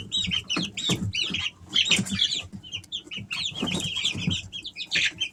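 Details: Easter Egger chicks at three weeks of age chirping in a dense stream of bright, short, slurred peeps, several birds calling at once, punctuated by soft thumps and scratchy pecking sounds.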